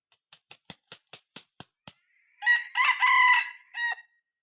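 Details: Six-month-old young male red junglefowl decoy cockerel being tested to lure wild junglefowl, giving one harsh, multi-part crow with an abrupt clipped end, preceded by eight sharp, evenly spaced tapping clicks.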